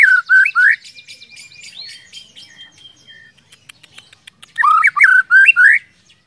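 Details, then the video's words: White-rumped shama song used as a lure to make other shamas sing freely: loud rising whistled phrases open and close the passage, with softer high buzzy and twittering notes between them. "pancingan murai batu agar cepat gacor ngeplong"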